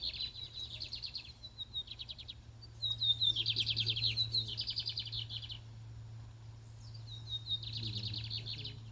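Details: Lined seedeater, a fiery male in a singing contest: bursts of rapid, buzzy, high trills repeated in long phrases, with brief whistled notes between them, over a steady low hum.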